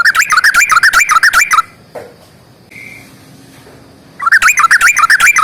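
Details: Sooty-headed bulbul, 'ropel panjang' fighting song: dense bursts of fast warbling notes rising and falling, a quiet gap of over two seconds with a faint short whistle, then the rapid warble resumes.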